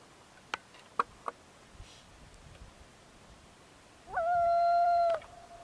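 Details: Canadian or common loon wail: after a few soft clicks, a sharp upward sweep settles into a clear, sustained moaning note held for about a second before stopping abruptly.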